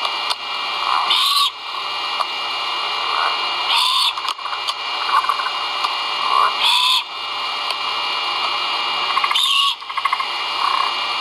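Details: Live-camera sound from a great horned owl nest at Skidaway Audubon, 1.04.2022, with chicks vocal during feeding: four harsh hissing screeches spaced about every two to three seconds, over a constant noisy background.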